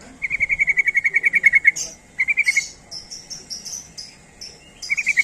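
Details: Sooty-headed bulbul call for luring other bulbuls: a long, fast rattle of evenly spaced bright notes, a shorter rattle, then high buzzy chirps repeated several times a second, with the rattle returning at the end.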